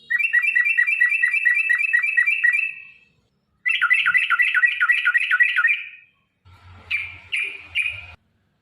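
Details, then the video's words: Yellow-vented bulbul in long 'ropel' fighting-style singing, used to draw replies from caged birds: two long runs of fast, repeated sharp notes, then a few softer separate chirps over a low hum. "trucukan gacor TARUNG ROPEL PANJANG pancingan trucukan agar bunyi"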